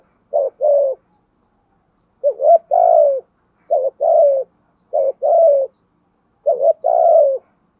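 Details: Spotted dove kept as a decoy bird, cooing in thúc gù style: five paired phrases, each a quick stuttered note then a longer drawn-out falling coo, spaced about one to two seconds apart in a quiet setting.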